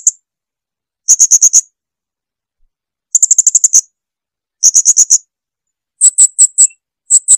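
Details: Clear blue-crowned hanging parrot song meant for training caged birds: bursts of fast, piercing high notes about every one and a half seconds, later groups slightly higher and more spaced, four to eight notes each.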